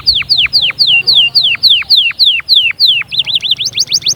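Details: Canary song meant to encourage chicks to sing and prepare females: loud whistled notes sweeping down, repeated about three times a second, then a quick run of rising and falling looping trills.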